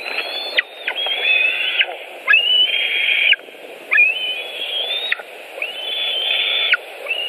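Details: White-tailed eagle nest in Latvia with fish, 5 July 2018, 18:05: long high whistles with short gaps, some starting with an upward flick and ending in a plunging slur, over steady low noise.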